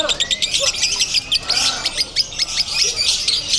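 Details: Brief burst of konslet-style lovebird singing at a Bandung contest: scratchy, high squeaks and chirps in quick succession amid background chatter.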